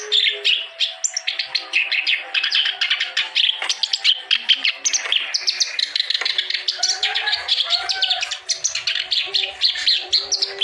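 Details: Clamorous reed warbler in energetic song, played to stimulate other birds to sing; fast, pulsing series of grating chatters and squeaky notes, bursts repeating several times a second.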